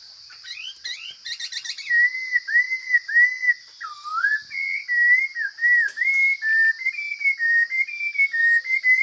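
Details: Forest Chinese hwamei in strong song. It opens with a rapid rattling trill and rising notes, followed by a long sequence of clear, gently wavering whistles. A thin constant hum runs behind it.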